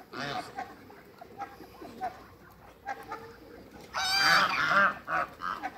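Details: Domestic geese, a flock of eight Toulouse and African geese meeting new geese: after a low murmuring background, a loud burst of harsh, nasal honks comes near the end, overlapping calls rising and falling for about a second.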